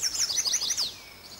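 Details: Male Chestnut-sided Warbler singing from a birch tree on slopes above Quabbin Reservoir, Massachusetts: a short burst of high, bright, quickly repeated sweeping notes ending in an accented downslurred note.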